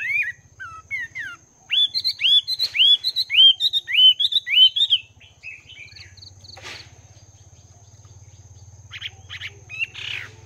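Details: Chinese hwamei, two months caged, singing in the morning: a lively sequence of upswept whistled notes repeated about twice a second, fading into sparse softer calls over a low mechanical hum.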